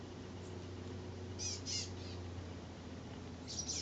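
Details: Two brief clusters of high, thin, slightly buzzy chirps, three or four quick notes each, from birds frolicking on a magnolia, possibly chestnut-backed chickadees, over a steady low hum.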